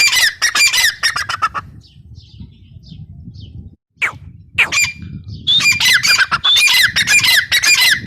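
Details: Bursts of rapid, grating high calls from a female grey francolin (teetar), a near-silent gap in the middle, then the dense squawking returns louder, over low background rumble.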